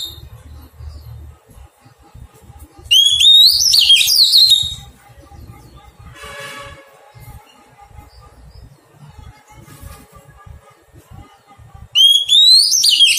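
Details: Oriental magpie-robin, a wild-caught bird being tamed, sings two bright whistled phrases. Each rises into rapid, warbling flourishes, and the two come roughly nine seconds apart. Faint clatter and a murmur sit in the background.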